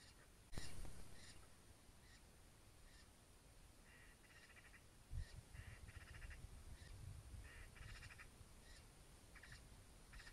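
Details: Eurasian stone-curlew calling: short harmonic whistled notes in bursts, some in quick clusters of two or three, spread across several seconds over a steady low rumble, with a sharp knock near the start.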